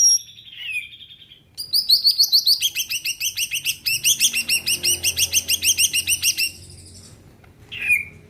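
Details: Greater green leafbird, singing gacor to get other birds singing: loud, dense rapid chirping that runs unbroken for about five seconds, rich and bright, with a falling whistle at the start and another near the end.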